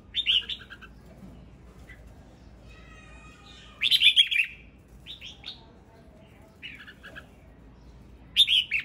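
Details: A male red-whiskered bulbul sings short, bright, warbling phrases of a few liquid notes, repeated every few seconds with pauses between, with a quiet background hum underneath.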